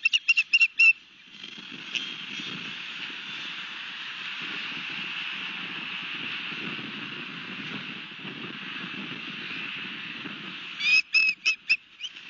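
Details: Osprey at the nest with a fish at Barnegat Light, Long Beach Island, New Jersey, on 31 March 2021, evening: quick series of sharp, high, whistled chirps at the start and end, separated by a steady rumbling engine-like drone.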